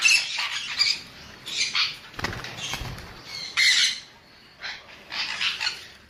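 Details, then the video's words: Moderately loud, raspy squeals from a sun conure arrive in short separate bursts, with soft thumping noises between them. "เสียงนกแก้วซันคอร์นัว Conure Sounds"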